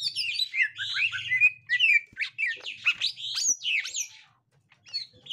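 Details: A captive 'gotri' green leafbird and a young wild green leafbird: a dense tumble of high, sweeping chirps and slurred whistles fading out near the end, with faint low hum early on.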